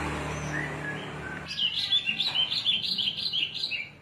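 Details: Cing ciu song from a Cilacap Javan bush lark: after a quiet start, a sudden fast stream of warbled high notes rising and falling, with low hum beneath.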